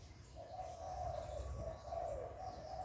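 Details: Spotted dove coo in the hạp bổi style, meant to stimulate kept birds. A drawn-out, wavering hollow coo ends with a slight downward slide, over a rumbling low background.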